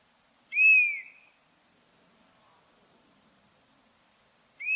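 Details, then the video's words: Buzzard giving a single loud, descending, whistled mew, followed by about three and a half seconds of silence before another call begins. "Buzzard Sound | Hear the Wild Call of a Majestic Bird of Prey"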